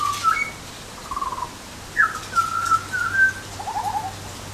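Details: Butcherbird voicing rich, flute-like phrases: short slurred whistles linked into melodic runs, pausing briefly between groups, with a final warbled note lower in pitch.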